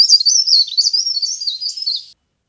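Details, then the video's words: Lure sound of a leaf warbler: roughly two seconds of continuous thin, high-pitched, wiggling chatter with quick up-and-down notes, ending abruptly in silence. "CIKRAK DAUN GACOR | CIKRAK DAUN PIKAT | SUARA PARE PARE GACOR"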